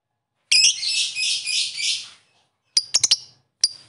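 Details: Lovebird calling its rivals with a long, harsh, shrill buzzing screech held for nearly two seconds, then a quick burst of four sharp high chirps and one more chirp after a short pause.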